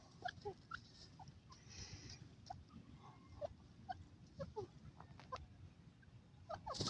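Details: A partridge in grass gives soft, short chirps and peeps, scattered irregularly and fairly quiet, over a steady low rumble of wind or handling noise.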